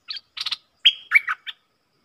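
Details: Stripe-throated bulbul, locally nok dok taeng, singing an opening phrase. A few buzzy chips lead into a clear whistled note, then several slurred, tumbling notes, all within about one and a half seconds.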